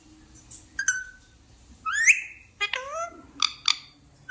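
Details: Pet talking parrot indoors: short clipped syllables, a rising slurred whistle, and wavering speech-like phrases with strong harmonics, separated by brief pauses.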